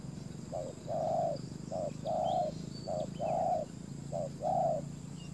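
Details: Decoy spotted dove luring wild doves, uttering even pairs of coos, a brief note then a longer broad one, four pairs in quick succession over steady low background noise.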